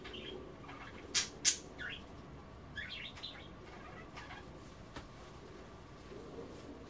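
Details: Indoor pet budgies at bath time, nibbling kale in water, make soft scattered twittering chirps after two loud sharp clicks, with quieter chatter trailing off.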